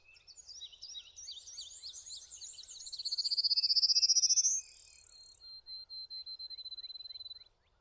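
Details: Prairie warbler singing from branches: a series of high notes climbing steadily in pitch over about two seconds, set among soft chattering from other birds, followed by a long, steady, thin high tone with rapid pulsing.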